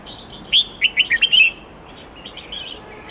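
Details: Red-whiskered bulbul wild-style song used to tutor young birds: a loud rising whistle followed by five rapid slurred notes, then softer whistled phrases fading in the background.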